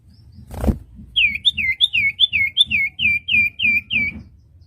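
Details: Common iora song used to train newly bought wild-caught birds: after a brief click, about eleven clear, down-slurred whistled notes repeat quickly and evenly over low background rumble.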